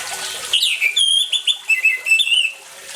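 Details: Orange-headed thrush song mixed with water sounds to stir silent birds: after a watery rush, a dense two-second burst of bright whistled notes, bending and repeating rapidly, with a thin steady tone underneath.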